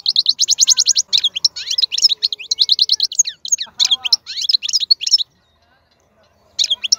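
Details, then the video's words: Wild-caught European goldfinch praised as a strong singer delivers fast, rippling runs of bright tinkling notes and rapid trills. The song runs continuously for about five seconds, pauses, then starts again. "تغريد الحسون خلوي ممتاز.هذا مقنين هو الأكثر قوة بين الطيور"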